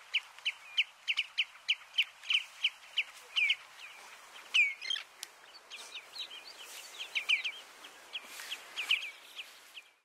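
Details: Eurasian oystercatcher (Haematopus o. ostralegus) at Flatey, Iceland, in June 2019, gives loud, shrill piping notes, about three per second, briefly merging into a faster overlapping chorus of piping over soft background hiss.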